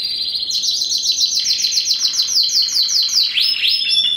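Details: First-generation cross of a Spanish Timbrado canary and a wild-type canary, bred 2015: rapid bright repeated notes form a steady trill, ending with a swooping upward note and scattered chirps.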